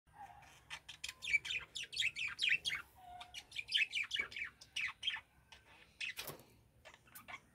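Budgerigars chattering in a rapid run of bright chirps, squeaks and warbles.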